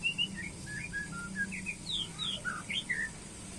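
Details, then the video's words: White-rumped shama in a pairing session, singing a varied run of short whistled phrases that jump between low and high notes, some slurred upward, over a steady low hum and faint background hiss. "penjodohan murai batu"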